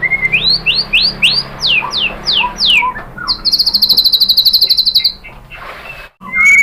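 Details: White-rumped shama song used to provoke other shamas into singing their fill material. A run of about eight steep upslurred whistles is followed by a long, fast, high, buzzy trill.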